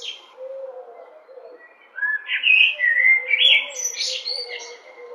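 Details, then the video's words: Blackbird singing melodiously: after two quiet seconds comes a rich run of warbled, fluty phrases, rising into higher twittering notes and then fading, over a faint steady low hum. "Black Bird 🐦🐦 singing melodiously 🎶🎶🎶"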